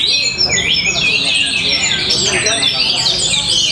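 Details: Orange-headed thrush in Tabanan, Bali, singing with strong power and varied style: fast, high slurred whistles and chattering trills in an unbroken flow, with a low murmur of people beneath.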